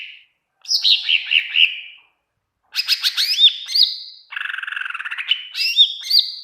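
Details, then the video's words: Greater green leafbird tutor song for training other birds: a falling series of bubbling notes, then bright upswept whistles, a fast buzzy rattle and more looping whistles, almost continuous. "masteran cucak ijo gacor pling cepat bikin burung cucak ijo nyaut"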